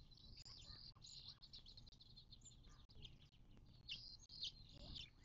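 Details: A desert watering hole in the western Mojave Desert, southern California, near Joshua Tree National Park, 19 March 2024: a continuous band of high rapid twittering and chirps, with a few louder notes, over low hum.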